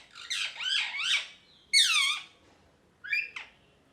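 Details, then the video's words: Cheerful parrot calls: wavering, nasal squawks that bend up and down, a long grating cry in the middle, then a shorter two-part squawk, with quiet pauses between them. "Parrot Chirping Sounds (Happy Voice)"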